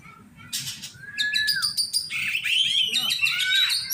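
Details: Oriental magpie-robin during song training with fellow enthusiasts: a long flat whistle sliding down, then dense buzzy bursts and bright varied twittering notes, loud and continuous after a faint start.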